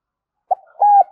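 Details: Decoy spotted dove calling loudly across a village to lure wild doves toward a trap; a short soft note, then one long, even, mellow coo held steady before fading.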